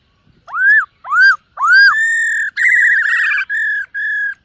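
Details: Morning voice training of a black-throated laughingthrush singing as it dances. Three loud upslurred, arched whistles open, followed by long steady ringing notes and a wavering warbled phrase.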